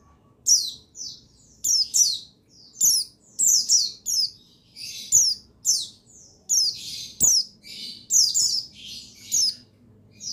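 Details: Buxtoni white-eye male singing to trigger other white-eyes: a busy string of high, downslurred twittering notes, some overlapping, arriving in nearly continuous bursts over a quiet low hum.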